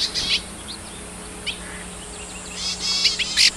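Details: Yuhina in the wild foraging for food for its young, giving brief, high, thin chirps and short buzzy notes in irregular bursts, with a steady low hum underneath.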